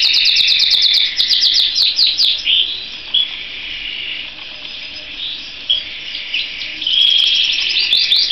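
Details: Singing canary opening with a fast series of sharp downslurred chirps, then softer warbled phrases, a long steady whistled note near the end and renewed quick chirping.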